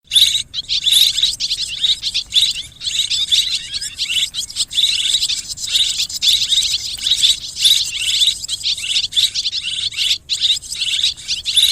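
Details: Swiftlets in a mixed chorus of calls, a dense, continuous wash of high twittering chirps with no clear breaks, many birds overlapping throughout.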